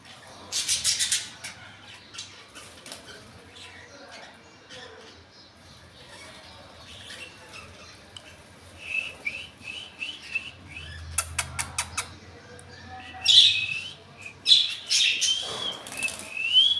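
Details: Indian ringneck parrots and budgies in a colony chatter with high, scratchy chirps and short squawks, mixed with bursts of fluttering wings.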